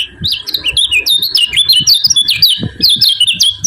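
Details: Yellow-vented bulbul 'ciak ciak' call, aimed at rousing rival birds: a continuous, busy run of sharp high chirps and slurred notes with a faint steady tone beneath and soft low knocks.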